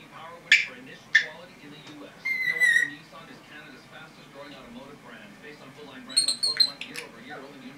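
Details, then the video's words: Pet red-bellied parrot, a 10.5-month-old female, mixing soft talking chatter with two sharp clicks early on, then a clear descending whistle and a high warbling whistle later. "Red-Bellied Parrot - Talking, Chatter, Noises, Whistling, Chicken SUPERCUT"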